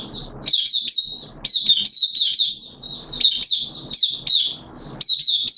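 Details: Caged oriental white-eye singing on day two of a monthly deworming, September 2022: continuous high, sweet twittering with frequent sharp rising chirps, phrases repeating roughly every second, clean with little background.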